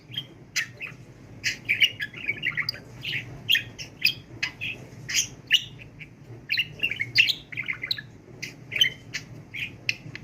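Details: Talking pet budgerigar in speech training, chattering on without a break: clusters of quick warbled syllables and sharp clicks, with short gaps, over a quiet background hum.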